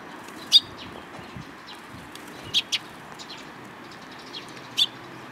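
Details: Sparrows at Mizukami Bridge, afternoon of 31 March 2022, give scattered high, crisp chirps, including a quick double note, with quiet pauses and faint low background noise.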